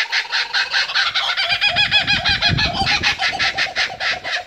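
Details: Two kookaburras in the wild laugh together in a loud, rapid, rolling chorus of harsh repeated hoots.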